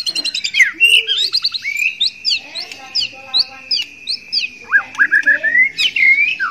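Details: Male white-rumped shama in breeding condition courting a female: rich, rapid song of varied whistles, chirps and down-slurred notes in quick bursts, over a long sustained whistled tone through the middle of the phrase.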